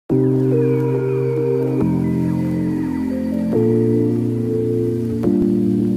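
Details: Soft ambient music of sustained bell-like and organ tones changing every couple of seconds, with no animal voice.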